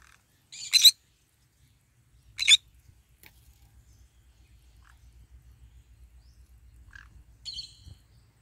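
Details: Green-cheeked conure in the morning sun, eating and calling: two short, harsh squawks about one and a half seconds apart, then a quieter, thinner tonal call near the end, with faint background hum.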